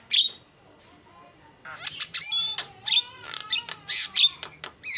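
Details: Starling singing a lure song: a quiet start, then wheezy rasps, thin whistled glides and sharp squeaky notes in uneven bursts.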